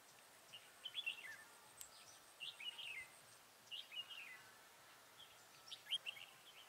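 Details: Red-whiskered bulbul used as a decoy during a trapping session to lure wild birds, recorded 27/11/2017: faint, quick warbled phrases repeated about every one and a half seconds over steady background hiss.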